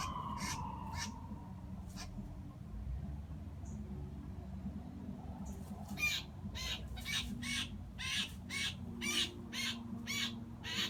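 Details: Blue jay trapped beneath a hawk's spread wings in a front yard, screaming as it is plucked; a few scattered harsh cries at first, then a rapid run of raspy screams nearly twice a second, with low traffic rumble.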